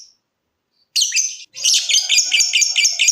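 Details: Lovebird in ngetik-to-ngekek singing, used as a lure to make other lovebirds trill: a second of silence, then bursts of harsh, high, buzzy chatter, a brief pause, then a dense run of rapid chirping notes.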